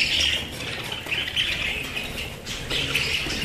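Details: Warbling chatter from pet budgerigars, a dense run of scratchy chirps and squeaky notes that swells and dips every second or so.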